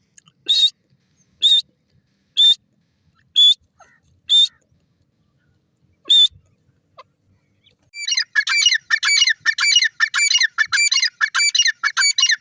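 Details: Francolin at feeding, kept for crossing; six clean, short whistled notes spaced about a second apart, then a dense rattle of rapid harsh chattering notes.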